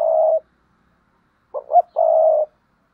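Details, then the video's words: Paired cooing from a spotted dove: a level mellow coo, a pause, then a stuttered double note rising into a brief arched coo, followed by another long steady coo in a quiet setting. "Tiếng cu gáy đôi"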